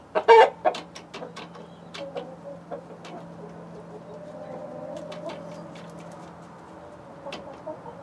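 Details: Backyard flock of named chicken breeds including Light Brahma, Barred Plymouth Rock, White Leghorn hens and Rhode Island Red roosters; a loud opening squawk, then soft scattered clucks and pecking clicks over a steady low hum.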